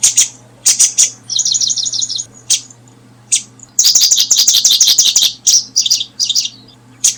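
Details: Paddyfield pipit while brooding: bright, high chirps in short clusters, then a fast buzzy trill of about one second, followed by a dense run of rapid chirps and scattered single notes, over a low steady hum.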